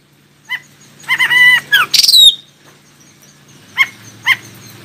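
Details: An Oriental magpie-robin sings to get other magpie-robins to respond: a lone chirp, then a rich phrase of nasal harmonic notes ending in a loud falling whistle, followed by two short, spaced chirps over a soft hum.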